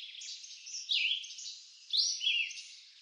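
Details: Woodland recording from eastern North America of a red-eyed vireo giving two short slurred whistled phrases, one dropping in pitch, the next rising then falling.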